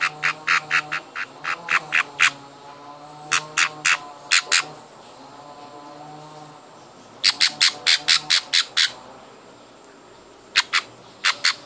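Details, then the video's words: Hand-fed baby budgies beg with bursts of short, harsh, scratchy squawks in quick runs, separated by pauses of quiet with a low background hum. "hand feeding baby budgies"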